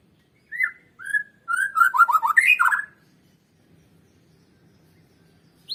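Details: White-rumped shama song for stimulating other birds: two separate whistles, then a fast cascade of sliding, descending notes, followed by near silence with a single high note at the end.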